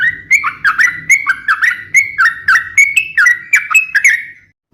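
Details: Sooty-headed bulbul giving lively song for luring and tutoring birds: steady series of whistled two-part phrases, a dip followed by a level tone, about twice a second, over a faint low murmur, fading at the end.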